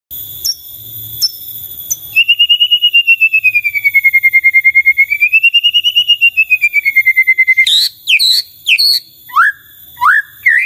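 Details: White-rumped shama singing to prompt other shamas to answer: a long pulsed, wavering whistled trill rising and falling for about five seconds, then sharp upslurred whistles, over a steady high thin tone.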